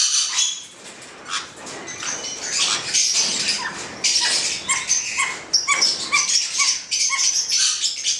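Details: A pair of black-headed parrots chattering with harsh, high squawks and short clipped notes, busier and louder in the second half.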